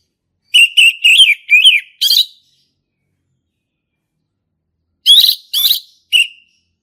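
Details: Ngeplong song of a male orange-headed thrush in the forest: five loud warbled whistle notes in quick series, a three-second pause, then three more slurred notes.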